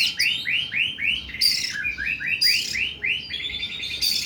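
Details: Oriental magpie-robin singing in the long, harsh 'nembak' style: rapid series of arched, whistled notes repeated about three per second, interrupted by loud rasping high bursts roughly every second.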